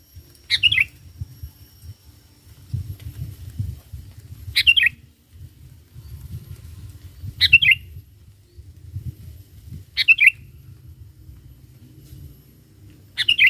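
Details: Lure recording of an actively singing sooty-headed bulbul, used to call in wild bulbuls. A short, liquid, chirping phrase repeats about every three seconds, five times, over a constant low rumble.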